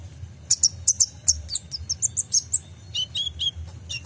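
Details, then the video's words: Kolibri ninja song played to train caged songbirds: rapid series of high, sharp chirps at steady intervals, shifting to slightly lower slurred notes near the end, over a faint low hum. "PANCINGAN KOLIBRI NINJA (Konin) FULL ISIAN tembakan mantap"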